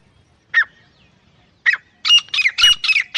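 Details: Wild francolin in the jungle: two separate harsh notes, then a quick string of loud grating calls with a steady ringing tone running through them.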